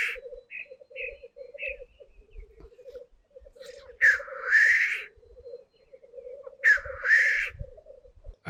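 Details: Black grouse males displaying at a lek before dawn in the 2025 season, still too dark to see them. Some birds are very close. A continuous low bubbling rookooing chorus is broken by two loud, drawn-out hissing calls and a few short higher notes.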